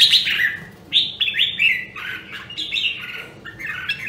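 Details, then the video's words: Rare Nam Đông, Huế red-whiskered bulbul singing during voice training: lively, clear whistled notes sliding down in quick phrases, varied and bubbly, with faint background noise. "Luyện giọng Chào Mào Nam Đông Huế Hàng Hiếm Còn Sót Lại ! giọng cực chất"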